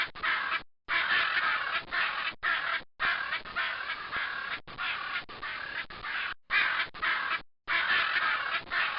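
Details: Macaws in trees of the savannah give loud, harsh, raspy squawks in a near-continuous string of drawn-out screeches, broken only by brief silent gaps.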